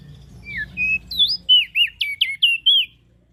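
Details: A loud ashy prinia call sequence of roughly nine high, slurred whistles, some rising and some falling, delivered quickly and evenly, with faint low noise at the start.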